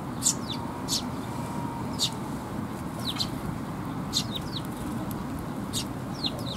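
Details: Young sparrows come to be fed at a Tenmangu shrine on 16 May 2021. Short, high, sharp chirps sound singly or in quick pairs about once a second, over a steady low rumble of background noise.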